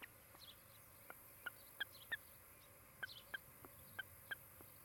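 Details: Osprey pair at their new nest near Charlo, Montana, on a nest camera, afternoon of 16 July 2018: a loud run of sharp, whistled chirps, about a dozen notes in five seconds, uneven and sometimes paired, over steady hiss with faint high chirps.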